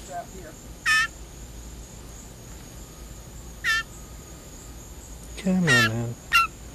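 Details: Hungry blue jay being hand-fed ground beef, shrieking for food: four harsh, buzzy shrieks spaced a few seconds apart, the third longer and richer, over a steady background hum.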